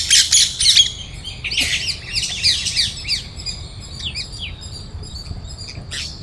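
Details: Flock of parrots feeding on grains at Cubbon Park, Bangalore, Karnataka, India, chirping loudly as a squirrel tries to join them; harsh, high, rapid squawky chirps from several birds overlapping, loudest in the first seconds, then sparser calls.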